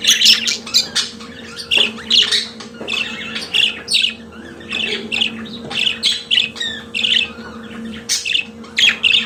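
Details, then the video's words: Captive pet budgerigar singing a busy warble of rapid, harsh chirps and nasal squawks repeated in quick bursts about every half second, with a faint constant hum behind. "Periquito Australiano de Estimação Cantando Som de Pássaros de Periquitos Naturais"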